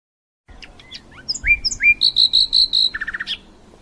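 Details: European goldfinch delivering a rich, varied song: rising slurred whistles, then a run of loud liquid notes and a fast, lower buzzy trill, over faint background hiss.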